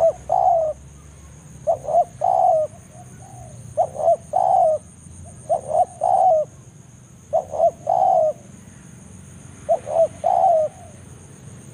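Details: Forest spotted dove calling to attract a rival: repeated coo phrases about every two seconds, each two quick notes then a longer descending coo, steady and insistent, with a continuous high-pitched electronic-like whine in the background.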